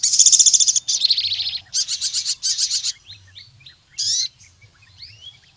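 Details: Ruby-cheeked sunbird in full song, used to challenge rivals and lure other birds to sing: rapid high buzzy trills, then thin sharp chirps and a short ringing burst, with quiet faint notes between phrases.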